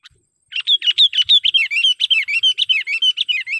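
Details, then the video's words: Kutilang, the sooty-headed bulbul, calling as a trapping lure: after a brief silence, a fast unbroken run of bright, downslurred chirps repeated about three times a second. "suara BURUNG KUTILANG PIKAT gacor / pikat kutilang gacor dengan suara panggilan kutilang gacor"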